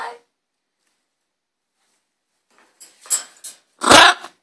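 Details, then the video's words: Green-winged macaw giving short harsh calls: a brief burst at the start, a few rasping notes around three seconds, then one loud, broad, grating squawk near the end, with silence between. "Green wing macaw"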